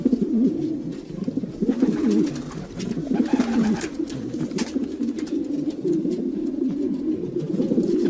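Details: Domestic pigeons keep up a continuous low, gurgling cooing chorus, phrases overlapping without pause, with occasional scratching and wing noise.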